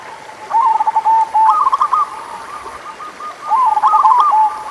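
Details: Zebra dove from local birds, played to coax slow singers: two bursts of fast, bubbling cooing notes with a short drawn tail, separated by a quieter gap of soft background hiss.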